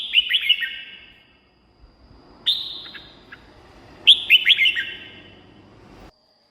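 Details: Red-whiskered bulbul song used to excite caged birds or lure wild ones: three bright bursts of quick whistled notes sliding down, each phrase trailing into a faint echo, spaced about two seconds apart.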